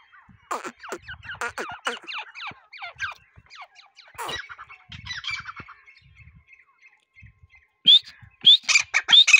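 Harsh, creaky grey partridge calls in quick rasping bursts, with a louder run of grating, rising notes near the end. Softer chirps sound between them.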